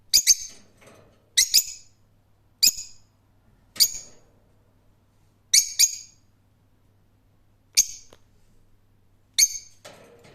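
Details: Rose-ringed parakeet giving harsh, high screeching squawks, single or in quick pairs, spaced one to two seconds apart with quiet gaps between.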